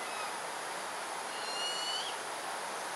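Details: A buffy fish owl fledgling in Singapore at 6:59 pm on 17 September 2022, waiting to be fed near its parents, gives one thin, high, drawn-out rising then falling whistle. It calls about every five seconds for over half an hour.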